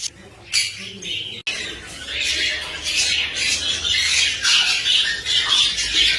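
Cockatiel chatter of rapid, shrill squawks and chirps, tumbling together more than twice a second, with a faint human voice in the background.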